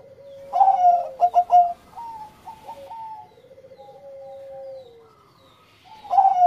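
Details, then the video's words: Bangkok-type zebra dove giving engkel song to stimulate breeding: an opening loud rolling phrase of pulsed coos, then softer repeated notes and a long low tone that glides downward before the loud phrase resumes. "Pancingan menaikan birahi Perkutut Bangkok Gacor Suara Engkel"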